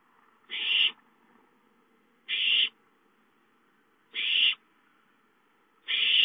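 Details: Owlets at home calling for food, recorded 5-9-13: four harsh, hissing screeches, each about half a second, repeated roughly every 1.8 seconds against a quiet background.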